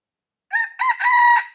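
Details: Red junglefowl in the wild, recorded while being lured on 5 February 2025, gives a loud crow: a short opening note, a brief second syllable, then a long, steady, ringing drawn-out note.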